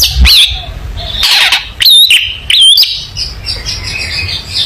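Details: Long-tailed shrike song meant for teaching young shrikes: a few loud, wavering whistled notes and rough buzzy bursts, followed by quieter high warbling.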